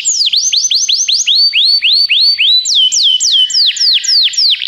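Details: Canary singing for playback meant to get a pet canary singing: a clean series of high, swooping notes falling then rising, repeated in quick steady tours with brief shifts in pitch between phrases.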